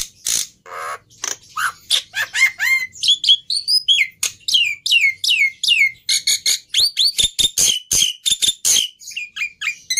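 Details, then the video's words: Black-winged myna song of repeated downward-sweeping whistles and sharp clicks, strung closely together in a lively, accelerating series. "Suara Burung Jalak Putih Istimewa"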